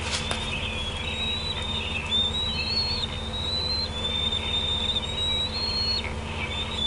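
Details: At the Decorah nest on an evening in June 2016, a bald eagle parent sits on an outer branch as juveniles gather. A long, high whistle runs almost unbroken, wavering slightly up and down, over a constant low electrical hum.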